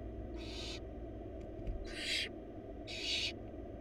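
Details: Wild barn owl nestlings, four of them, beg as their mother delivers a large rabbit to the nest box; three raspy, hissing screeches about a second apart, with small taps between and a low steady hum.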